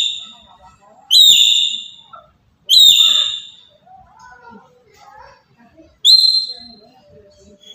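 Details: Papuan black-capped lory giving loud calls meant to provoke other birds: three bright, harmonic whistled notes spaced irregularly, with quiet scattered chirps and murmuring sounds in the gaps.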